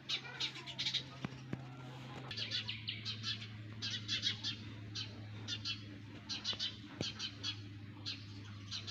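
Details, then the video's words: Sparrow chicks in a nest: dense bursts of high, thin chirps, often in quick runs of two to four, repeated throughout over a steady low electrical hum. "Sparrows baby in nest! | Sparrows Sound Effect"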